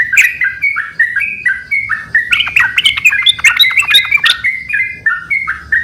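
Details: Several yellow-vented bulbuls in active song, answering each other: clear whistled two-note phrases dropping in pitch, then a dense overlapping burst of sharp chirps and squawky notes, with faint low hum beneath.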